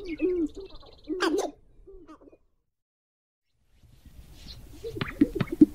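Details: Black grouse with a low, burbling coo and one sharp hissing burst, then silence, followed by faint rustling and a few low notes.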